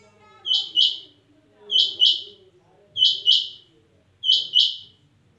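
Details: Calling female rain quail (Chinga Madi): four evenly spaced pairs of sharp, high chip notes, each pair two fast strokes, about every 1.2 seconds, with soft voices in the background.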